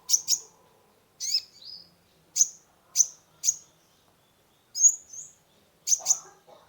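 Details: High, piercing sunbird (kolibri ninja) chips, single and paired, roughly once a second with a few short slurred whistles, from a lively singer used to lure a stressed caged bird into song.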